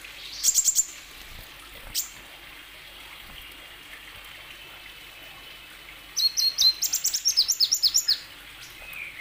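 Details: Plain sunbird song meant to prompt lazy sunbirds into singing: a brief burst of high squeaky notes, a lone chip, then after a quiet stretch a quick run of about a dozen sharp high notes, with faint background hiss.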